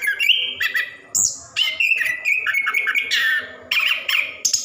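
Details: Orange-headed thrush, plontang type, in ngerol song meant to stir lazy caged birds into singing; short clusters of whistled and squeaky notes, some held level, others rising sharply, with quick pauses between them.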